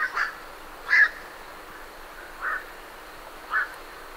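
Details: Four coarse, barking croaks from night herons leaving the roost, the second loudest, each separated by roughly a second over faint ambient hiss.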